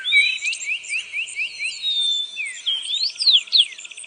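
High, thin chirps from a red-browed finch: quick slurred notes about five a second, then twisting rising and falling whistles, over a faint steady hiss.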